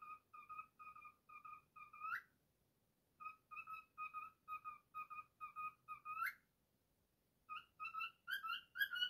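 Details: Male pet cockatiel singing his take on "If You're Happy and You Know It": phrases of even whistled notes, each phrase ending in a sharp rising upslur, with short pauses between them, then higher, brighter whistles at the close.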